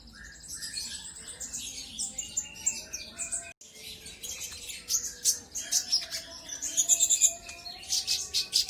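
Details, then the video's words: Brown-throated sunbird song played to provoke other birds: continuous high twittering with buzzy phrases, a short break mid-way, then bright rapid chip series and sharp repeated notes toward the end. "Pancingan burung konin kolibri ninja auto gacor"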